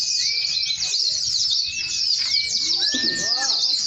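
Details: Many white-eyes (pleci) at the launch of a white-eye singing competition in Boja, Kendal: a dense, continuous chorus of high, rapid twittering from overlapping birds, with men talking and sliding whistles underneath.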